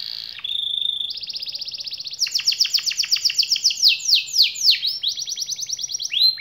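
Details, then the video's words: Lively canary song used to prompt silent, sluggish canaries to answer and roll: a steady tone, then long rapid rolling trills shifting through several pitches, each phrase of quick repeated notes, continuous and loud throughout. "KENARI Diam dan Malas Bunyi Langsung Nyaut dan Ngerol Kalau Dengar Suara KENARI GACOR satu ini"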